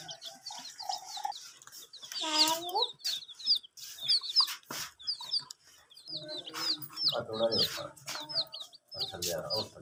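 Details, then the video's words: Domestic chicks drinking water while kept warm under heat with veterinary care; a rapid series of shrill, high, upswept peeps in bursts, interrupted by a deeper voiced sound and sharp tapping clicks. "Silly Chicks Chirping Sounds"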